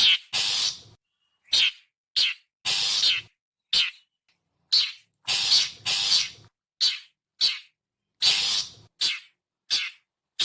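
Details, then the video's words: Long-tailed shrike call used as a lure for wild birds: a fast series of harsh, raspy bursts, short clipped notes mixed with longer drawn-out screeches, separated by brief clean silences. "suara panggilan khas burung cendet"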